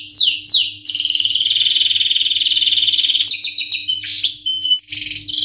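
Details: Canary singing in the Indonesian 'gacor ngerol nembak' style: a few quick falling whistles open into a long, loud, buzzy rolling trill, then broken higher trill fragments, over a faint steady electrical hum.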